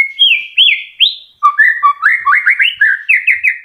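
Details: White-rumped shama, a kept bird in moult just starting to regrow feathers yet still singing, used as a lure song to spur silent shamas: loud, varied whistled phrases, rising slurs, then rapid chattering trills and quick repeated notes.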